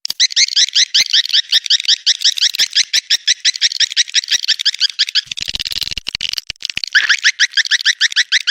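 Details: Mating-call lure for attracting swiftlets: rapid repeated high twittering notes, roughly three per second, interrupted midway by a short noisy rush before the twittering resumes.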